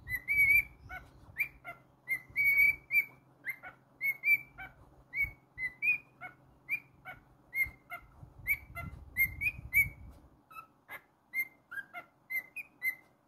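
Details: Pet male cockatiel singing indoors, a long series of short bright whistled notes, often rising, given roughly twice a second, with a low hum in the background during the first ten seconds.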